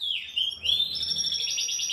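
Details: Captive canary at a breeder's, kept during the breeding season, sings a loud phrase: a falling whistle, then a smooth rising note, then a fast sustained high trill.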